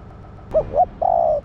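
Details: Female spotted dove calling to stimulate the male: two short soft coos followed by one longer, level cooing note, over low background noise.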